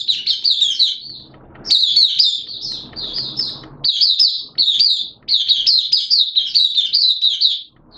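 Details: Oriental white-eye kept for the bird hobby, singing its opening song (buka) on 11 September 2022 amid wet, erratic weather; continuous high chattering twitter in four long bursts with faint low hum between.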